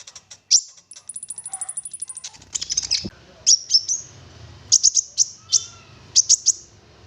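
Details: An olive-backed sunbird gives lure song in 'full nembak' style. A fast, even series of very high ticking notes is followed by loud sharp chips in pairs and triplets. A short low thump is heard midway.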